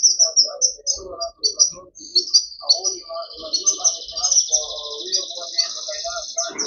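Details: Canary giving a high, thin trill of chirps and a long rattling roll, with softer lower chattering notes mixed underneath throughout.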